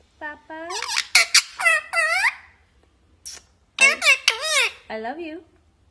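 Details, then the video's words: Talking parrot mimicking human speech indoors: clear high-pitched, harmonic word-like syllables in two groups, with swooping and falling inflections and a brief pause between them. "Parrot sound ❤️बोलने वाला तोता"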